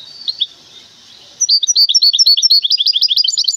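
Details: Goldfinch hybrid kept in a cage, from Temara, bursts in after a quiet start with a rapid, energetic stream of high chirping and trilled notes that continue to the end.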